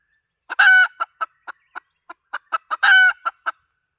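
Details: Decoy hen calling: two loud rasping squawks frame a loose string of short, quiet clucks spaced unevenly, some soft, some sharper.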